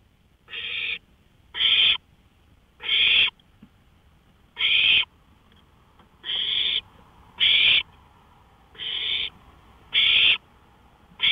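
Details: Night recording from a porch, 1:53 AM on May 5, 2013: an owl repeats a harsh, noisy hiss eight times, each burst brief and separated by about one second of near silence.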